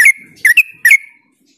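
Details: Yellow-vented bulbul, used to stimulate other bulbuls, giving three short bubbly notes with clicky starts, the last trailing into a thin level whistle before silence.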